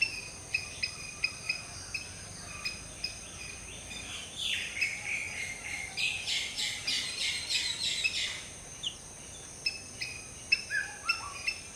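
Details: Black-hooded Oriole preening and calling in the morning in tropical jungle; a dense run of harsh, rasping notes in the middle, framed by sharp repeated chips from other birds and a steady high hiss.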